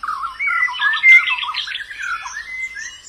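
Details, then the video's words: Wild white-eye pouring out a dense, rapid warble of wavering high notes, chattering and trilled, sustained without pause. "Suara burung Pleci dialam bebas"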